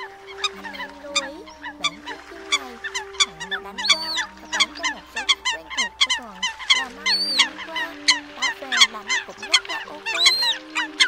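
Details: Eurasian coot call recording used in Vietnam as a night-netting lure during the 2022 migration, a single bird calling apart from the flock: rapid, sharp, high clicks and nasal honks, several overlapping, over a steady low electronic hum.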